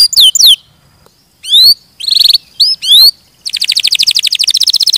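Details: Canary song in short bursts: a few looping whistles, gaps of quiet, brief buzzy phrases, then a fast pulsing trill carrying through the last second and a half.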